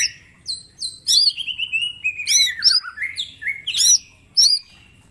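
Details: Lively green leafbird song used for training: two clear high whistles, then a long varied phrase of trills and descending slurred notes, ending in sharp looped whistles; soft low background rumble.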